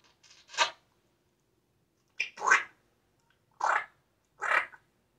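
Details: African grey parrot, a pet bird, vocalising in short speech-like bursts: four raspy, broadband utterances spread over about five seconds, with quiet gaps between them and no other clear sounds.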